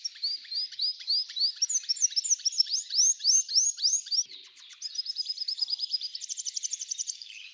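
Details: Singing F1 hybrid goldfinch delivering a varied, lively song: a series of rising whistled slurs, then a brief pause, followed by fast dry trills and a buzzy rattling passage at the end.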